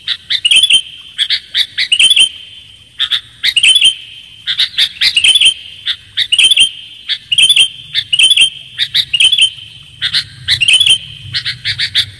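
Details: Repeated sooty-headed bulbul calls meant to lure birds: bubbly chirping phrases with sharp clicks, recurring steadily through twelve seconds, high and clear above a low rumbling hum.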